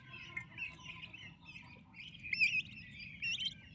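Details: Healthy, active turkey chicks beside their mother give shrill peeps that overlap in a busy chatter, getting louder and denser near the end, with a faint low hum underneath.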